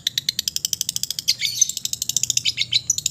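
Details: Relaxed full-fill singing from an East Java long-tailed shrike: a rapid, steady stutter of sharp chipping notes, around eight per second, running through the whole stretch with brighter squeaky notes mixed in midway.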